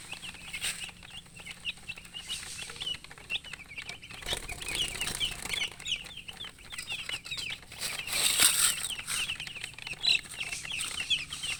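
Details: Young domestic chickens calling out of thirst for water, a steady flock chorus of quick, high, downward-slurred peeps, interrupted by a brief loud rustle or scrape midway.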